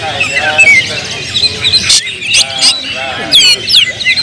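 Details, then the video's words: Oriental magpie-robin singing agitatedly in full emotion, used as a lure to provoke other magpie-robins: dense, varied high whistles and quick chirps, broken by harsh, loud scratchy bursts near two and three and a half seconds. "KACER BONGKAR EMOSI BONGKAR MATERI DENGAN PANCINGAN KACER INI Kacer Gacor Full Emosi"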